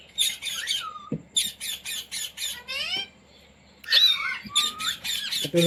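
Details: Talking Indian Ringneck kept as a pet, trained to say "mummy" and "roti roti": harsh, buzzy squawks in quick repeated bursts, broken by a rising, wavering speech-like phrase, inside a small room.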